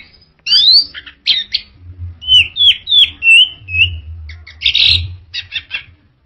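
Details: Vigorous orange-headed thrush song of rising and falling whistled slurs, clipped notes and a burst of harsh, scratchy notes near the end. Delivered in rapid succession over low background thumping.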